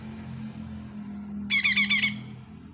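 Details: Lesser green leafbird used as a lure for a bird that seldom sings: a short burst of five or six harsh, buzzy pulses over a steady low electrical hum.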